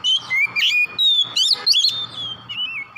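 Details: Oriental magpie-robin calling in the morning: clear whistled notes, some sliding up and others falling, mixed with quick chirps in short bursts, with a faint low hum underneath.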